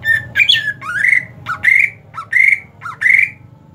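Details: Greater green leafbird, cared for in hot season, singing loudly indoors: a series of loud, clear whistled notes, each rising then falling, repeated about once every half second.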